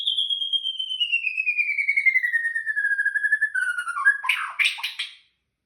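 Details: White-rumped shama singing at night: a long pure whistle sliding slowly downward with a fine trill, ending in a burst of harsh scratchy notes.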